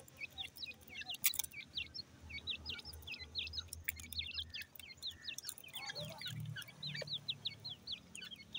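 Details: Many francolin chicks peeping together: a busy stream of thin, rising, whistled chirps, with faint low rumbling and scattered clicks in the background.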